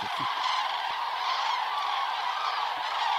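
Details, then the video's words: Evening flight of cranes returning to roost on the Hortobágy steppe, Hungary, during an autumn migratory stopover of up to 160,000 birds; an unbroken chorus of loud rolling trumpet calls from countless birds. "Hortobagy steppe the sound of cranes"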